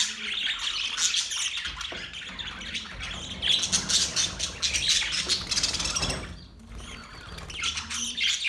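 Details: Budgerigars chirping and warbling during mating, a dense chorus of high scratchy chatter and squawks with brief whistled notes, several birds overlapping continuously, a short lull near the sixth second.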